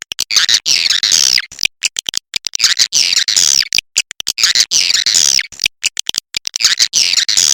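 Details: Shrill twittering of swiftlets from a lure recording used to attract the birds: very high, hissy chatter cut by rapid clicks, the pattern repeating in a loop.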